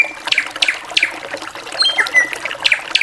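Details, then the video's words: Drongo singing in short bright chirps about every third of a second, mixed with thin high whistles and one clear upslurred note, over a constant watery hiss. "SRIGUNTING VARIASI GACORAN"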